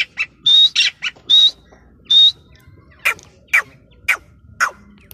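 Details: Grey francolin, locally teetar, sends a few loud, rising whistled calls with scratchy notes. Shorter, fainter clicking notes follow at spaced intervals over a low hum.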